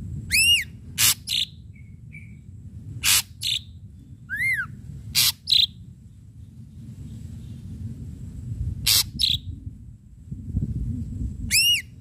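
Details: Ashy drongo in lively song with sharp strikes: arched overtone-rich whistles, harsh buzzy bursts and short clipped notes, spaced irregularly across the phrase, with a steady low rumble behind.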